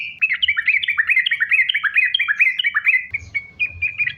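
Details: Sooty-headed bulbul in lively sambung ropel song, used to prompt other bulbuls to sing: a quick run of warbled notes that dip and rise, then a few thinner, spaced notes over faint low background noise.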